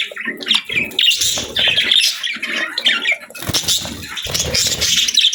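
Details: Budgerigars twitter in quick, raspy warbled phrases, punctuated by soft low thumps like fluttering or movement in a cage.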